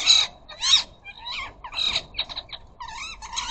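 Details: Flock of ring-necked parakeets at a garden bird feeder, birds chattering to each other: rapid series of harsh, screechy squawks and chattering notes, bursts roughly every half second, some calls with wavering rising-falling tones.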